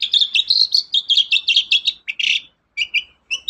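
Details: Long-tailed shrike singing actively, a sound used to stir other birds into song: quick run of chattering, warbling notes, then a brief harsh burst and a few spaced squeaky chirps.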